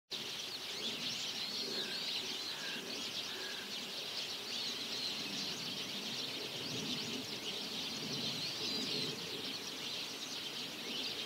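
A flock of Eurasian tree sparrows chirps without pause, with many bright, high chips overlapping into a steady chatter. A faint low rumble sits underneath.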